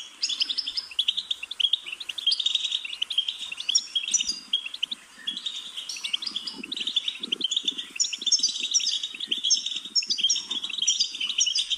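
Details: Lively goldfinch twittering, a dense stream of high, jingling notes and tinkling runs, over a soft lower fluttering or rustling patter in the middle section.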